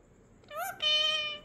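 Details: Talking pet parrot doing its crow imitation indoors: a brief arched note, then a longer, steady, nasal, harmonic-rich call, with the owner hushing nearby.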